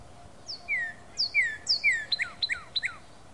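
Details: Northern Cardinal singing in late February 2012: clear, downslurred whistles, then a fast run of sharp, repeated chip-whistles dropping in pitch; faint background hiss.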